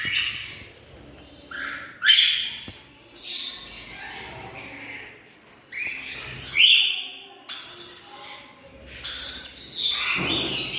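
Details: A Black-winged (Blue-cheeked) lory, an Indonesian species kept as a pet in Bhubaneswar, Odisha, gives harsh, screechy, high-pitched calls in irregular bursts every few seconds, with some chattering and faint background noise.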